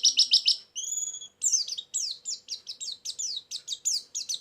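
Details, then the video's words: Bird-trapping lure of white-eye song: a rapid burst of sharp clicks, a brief drawn-out double whistle, then a lively chain of high descending chirps at an even pace. "suara burung pleci pikat+isian"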